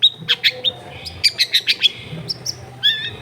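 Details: Long-tailed shrike singing in a therapy recording meant to get a reluctant shrike to answer, made in a densely populated area: a rapid series of about nine bright, evenly spaced high notes, then a short slurred whistle.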